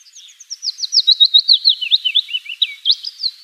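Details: Wild willow warbler singing in Finland: a sweet, cascading phrase of clear whistled notes that starts high and soft, strengthens, slides gradually lower, and ends with a few upslurred notes, with no other sound.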